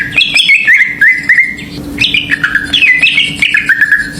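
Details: Lure song of a greater green leafbird meant to provoke other birds: rapid chains of bright whistled notes sliding downward, repeated in quick bursts with a brief pause midway, over a constant low hum.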